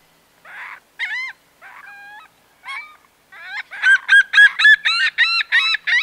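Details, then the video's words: A single Laughing Gull in flight gives long or laughing calls: nasal, harmonic kah notes, a few spaced at first, then a fast run of about eight laughing calls. "Laughing Gull. MCU 'Long' Or 'Laughing' Calls From Single Birds, Flight Calls"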